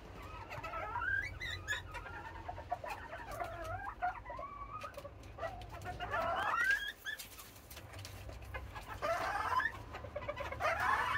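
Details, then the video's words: Several serama hens calling noisily in the morning while waiting to be let out: overlapping squawky, rising and falling clucks and cackles, with steady low background hum and some clatter. "Hens Noisy Morning Routine Today! | Noisy Hens"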